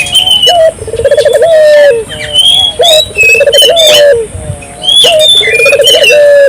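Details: Barbary dove in full gacor calling, meant to stimulate local doves: three low beaded coo phrases, each a quick stuttered roll dropping into a steady tone, separated by short pauses, over busy high-pitched bird twittering.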